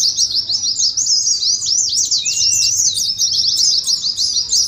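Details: High, busy chatter of Oriental white-eyes singing 'ngeriwik', a track for stirring other white-eyes and mimicking a contest; zigzagging chirps come in quick succession with one lower slurred whistle.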